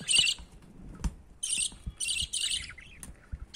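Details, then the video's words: Baby budgerigar climbing up to be fed by its father, giving bursts of harsh, raspy chattering squeaks in short clusters, with soft knocks and rustling between them. "Baby Budgie climbing for feeding food from father budgie."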